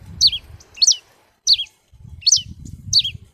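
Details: Red-cowled cardinal singing five quick falling whistled notes, spaced under a second apart, over a steady low rumble of background noise.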